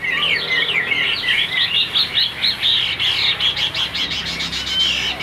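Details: Chinese hwamei in a cage, white-winged and white-tailed, delivering dense high warbling from the top perch, a fast continuous jumble of tangled whistled notes.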